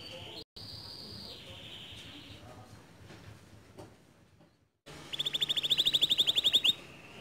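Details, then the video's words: Canary song meant to provoke a quiet, reluctant canary into singing: faint background at first, then a loud, fast, high trill of rapid repeated notes near the end. "Memancing Emosi Kenari Malas Bunyi Agar Ikut Gacor Dengan Kicauan Kenari ini"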